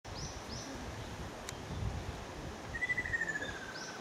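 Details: Ruddy kingfisher (Halcyon coromanda), call.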